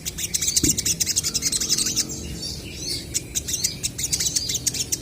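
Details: Crested jays, known locally as sogon, singing actively and answering each other, a recording meant to prompt untrained birds to call: dense high chirps and rapid rattling bursts follow one another continuously, with one low thump early on.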